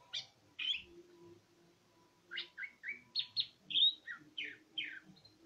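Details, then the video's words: Greater green leafbird, cucak ijo, singing energetically: scattered bright notes, then a rapid chain of varied slurred whistles and chirps, some rising, some falling, with a low hum underneath. "Suara burung cucak ijo gacor"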